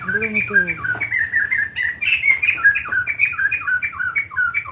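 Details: Long, lively White-crested laughingthrush song, a steady stream of clear whistled notes rising and falling about three per second, with a few low tonal sounds at the start.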